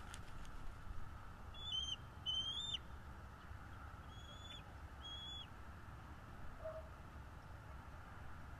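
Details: Bald eagle at a nest in North East Florida, captured by a nest camera on 12.02.2022 at 16:09: a few high, thin whistled chirps with a sharp downward flick at the end, in short bursts over steady low background hum.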